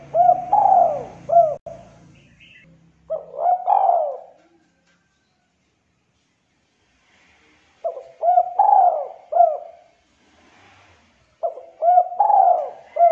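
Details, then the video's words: Spotted dove singing the contest style called culhu kuk 2, with a thick, clear voice. Three bursts of low, mellow cooing phrases come in about 13 seconds, each a run of short hooked notes followed by a longer drawn coo. Silent gaps separate the bursts. "SUARA TEKUKUR CULHU KUK 2 SUARA TEBAL, JERNIH"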